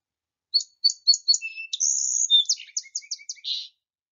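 A Song Sparrow sings a bright, varied phrase: several quick introductory notes, a buzzy trill, then a run of rapid chips ending in a burry note.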